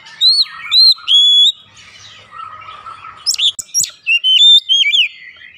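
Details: Oriental magpie-robin song played as a lure to prompt singing: three clear, level whistled notes, a quiet pause with a faint low hum, then loud varied chirps and slurred whistles.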